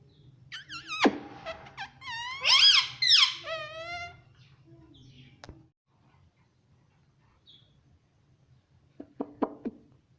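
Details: Pet Indian ringneck parakeet talking, asking to be given roti: a run of harmonic, wavering syllables over about three seconds, then near silence broken by a few short clicks and a brief burst near the end.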